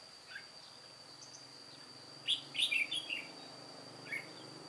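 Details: An old white-cheeked red-whiskered bulbul used as a trapping decoy, recorded 1 July 2018, gives one short burst of bright, warbling whistled notes after near-quiet, with a faint low hum and a constant high-pitched tone behind.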